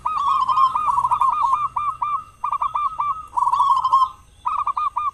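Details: Local zebra dove with a loud voice, singing well, used as a lure in morning and evening to get other doves singing; cooing, staccato notes in rapid runs, several phrases with short pauses between them.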